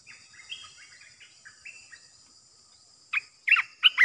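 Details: Olive-winged Bulbul decoy bird in a cage for trapping: quiet, slurred whistled notes drift at first, then three loud, sharp chirps burst out near the end.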